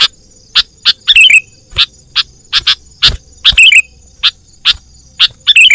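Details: Wild-bird trapping lure of a sooty-headed bulbul: quick sharp chip notes about every half second, mixed with four short descending twitter phrases, and a soft steady high tone behind.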